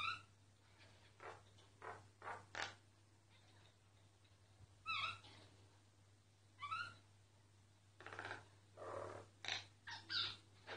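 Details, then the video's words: Singing myna, recorded discreetly so it would not stop; scattered clicks, gurgles and sharp downward-sweeping whistled notes at irregular intervals, with a low electrical hum throughout. "Mynah singing"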